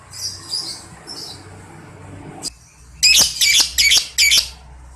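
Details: Lovebird making a few soft, high chirps, then a pause. Four loud, harsh squawks follow in quick succession, each a short raspy burst about a third of a second apart.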